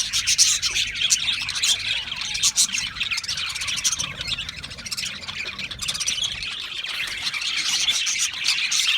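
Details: Continuous twittering from Australian parrots: thin, rapid chirps and buzzy squeaks pile on top of each other, easing slightly in the middle, then swelling again toward the end.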